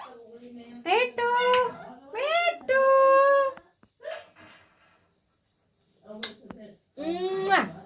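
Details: Pet parrot talking indoors in a small room: short bursts of mimicked speech-like syllables with rich harmonic tones, some held and some sliding, separated by pauses, plus a brief high whistled sweep near the end.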